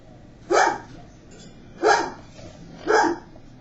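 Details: A 7-year-old female Quaker parrot (monk parakeet) sitting on her owner's shoulder says the word "bird" three times, each a short, harsh, throaty syllable about a second apart; a big dog may bark from the next room.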